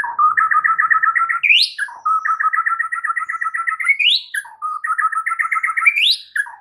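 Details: White-rumped shama training song with fill-ins: a fast rattled trill of repeated notes ending in an upward sweep, delivered three times in a row.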